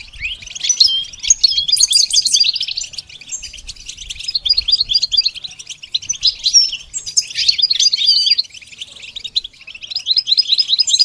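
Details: Goldfinch training song: several phrases of rapid, tinkling twitter and short trills, each a few seconds long, separated by brief quieter pauses, against a quiet background.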